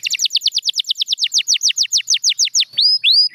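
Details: Champion canary delivering a rapid series of short falling notes, about six per second, then two drawn-out rising whistles.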